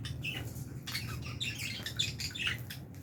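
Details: Aviary of Fischer's lovebirds kept with albino lovebirds at feeding time, giving rapid overlapping high chirps and squeaky twitters throughout, several birds calling at once over a faint low background hum.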